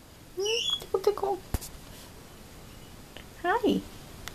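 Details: A female Goffin's cockatoo chatters in short, squeaky, voice-like bursts with sliding pitch, two brief phrases separated by a pause, plus a sharp click.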